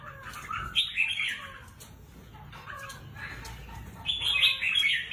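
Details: Caged red-whiskered bulbul with competition potential gives short high warbled phrases at the start and end, with softer chattering notes and cage rustles in between.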